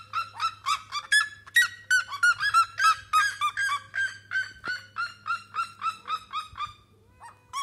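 A red-legged seriema gives a loud, far-carrying series of harsh, yelping notes, about three per second, over a faint low hum.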